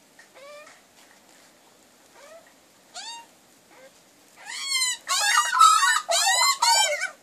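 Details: Backyard magpie family that came regularly for breakfast at a wood heap: a few soft, short rising-falling notes, then a loud burst of harsh, wavering, nasal calls repeated rapidly near the end.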